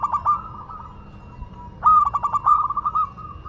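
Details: A local zebra dove from Madura sings a stuttered run of mellow coos, a quiet gap, then a louder phrase of rapid bubbling notes trailing into a soft sustained coo over a low background hum.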